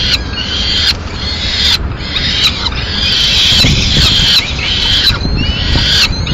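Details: In Madrid on 30 April 2016, a female peregrine falcon brings in pigeon remains, giving repeated rasping, wailing calls in quick series against a steady background of traffic noise.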